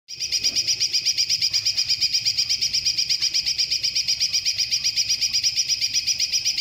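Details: Caged greater green leafbird trained with kingfisher-style rolling phrases, giving a long burst: a shrill, high trill of rapidly repeated notes, close to three per second, running unbroken from start to end.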